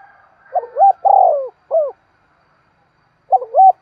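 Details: Spotted dove giving a fast urgent cooing used as a decoy to lure wild birds: short paired hoots, then a longer falling coo and a single clipped note, with a silent gap before the pair starts again.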